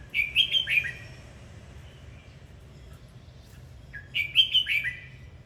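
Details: Red-whiskered bulbul singing during its dance, with two bubbly bursts of four or five fast slurred whistles about three seconds apart.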